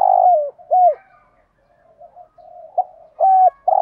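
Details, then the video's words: A spotted dove gives loud hollow coos that fall away at the end, each followed by a quick hooked note. Quieter muttered cooing fills the pause. The calls are urging and calling coos meant to stimulate other doves. "Tiếng chim cu gáy kích bổi hiệu quả[ tiếng THÚC GÙ + GÁY GỌI ] Tiếng cu cườm gáu bài bản"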